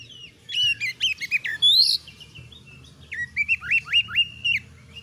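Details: Oriental magpie-robin, a caged songbird called kacer, in energetic full song: rapid bursts of loud whistled notes, many sharply rising or falling sweeps, in two phrases separated by a brief pause, with a faint low hum beneath.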